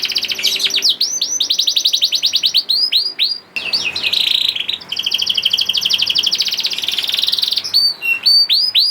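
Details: Energetic young canary song played to stimulate silent canaries into singing: dense chains of sweeping whistles, a long buzzy rolling trill in the middle, then sharp falling notes and piping tones, almost without pause.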